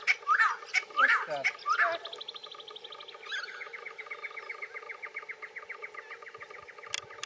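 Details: A Little Friarbird calling and feeding in a bottlebrush tree gives a strange call: three loud, harsh, swooping notes in quick succession, then a long, fast, scratchy chattering series, with a thin high trill briefly between.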